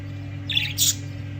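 A budgerigar gives two quick, harsh chirps over a steady low electrical hum.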